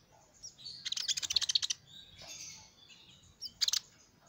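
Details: Sunbird (kolibri ninja) singing, as used to attract small birds: a fast burst of high, bright chirps, then a pause, then a short second cluster of the same sharp twittering notes.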